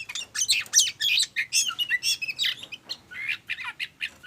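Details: Oriental magpie-robin, a lure recording meant to prompt other birds to sing, described as energetic and hot-and-cold: dense, rapid bursts of harsh squawky and chirping notes, high-pitched and tumbling, with brief gaps between phrases.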